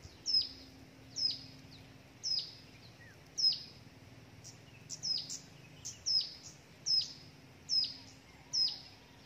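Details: Hill prinia chick begging as a parent brings a gecko and a grasshopper: sharp, high chirps with a quick downward sweep, repeated roughly every second, about a dozen in a row, over faint steady background noise.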